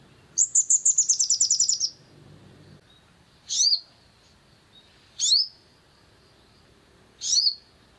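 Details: Long-tailed shrike in a provocation recording meant to stir a bird into singing: a fast run of about a dozen high, clipped notes that drop slightly, then three separate sharp, slurred high calls spaced about two seconds apart.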